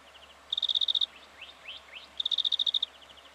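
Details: Black-fronted dotterel recorded in Victoria, Australia, in October 2011, giving two rapid runs of sharp high ticking pips, with soft rising slurred notes between them and fainter pips before and after.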